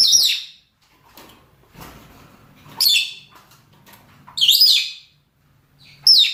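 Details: Male and female lovebirds of the rosy-faced or Fischer's kind calling for a mate: loud piercing squawks spaced irregularly, about four in six seconds, with faint rustling and low background noise between calls.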